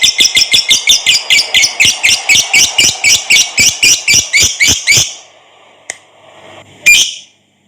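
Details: Lovebird giving its long ngekek chatter, used as a master recording to train and provoke other lovebirds: harsh, evenly spaced bursts about four per second for five seconds, then two isolated sharp notes, indoors.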